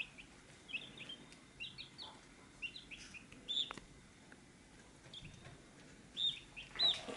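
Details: Around a feed dish, several chicks utter high, brief peeps in uneven clusters over seven seconds. Some notes are clear and whistled, others dip downward. Occasional sharp ticks are heard against a quiet background.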